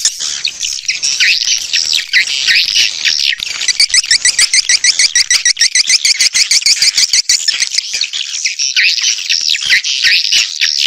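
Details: Swiftlet attraction sound for outdoor and indoor speakers, recorded in hi-fi stereo; a fast series of sharp, clicking chirps repeats about three times per second, rising out of softer chatter and fading back into twittering.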